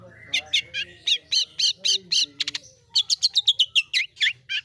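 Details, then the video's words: Long-tailed shrike (pentet/cendet) in gacor song: a quick series of buzzy, repeated chirps about four per second, a short rattle, then another run of harsh clipped notes, with faint low hum. "burung pentet/cendet gacor ROLL tembak"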